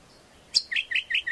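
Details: Greater green leafbird song used as lure and training master: one sharp high click, then four short rich whistled notes, each rising slightly, about five per second.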